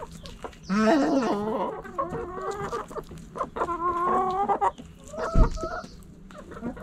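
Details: Backyard hens and roosters, with loud harmonic squawking clucks and drawn-out calls in bursts, one long cackle near the start and another sequence midway, over faint scratching and a sharp knock near the end.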